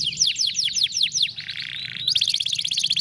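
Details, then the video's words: Canary singing 'vara de pescar' song, intended to motivate a lazy canary. Brisk repeated downward-sweeping whistles about five per second, then a harsh flat buzz, followed by a fast, bright twittering trill. "som de vara de pescar canário preguiçoso"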